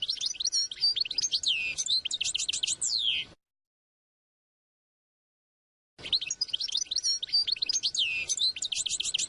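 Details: A goldfinch sings to teach young birds and get females ready: two long phrases of sparkling rapid twittering, mixing clear notes, buzzes and fast descending trills, with a silent pause between.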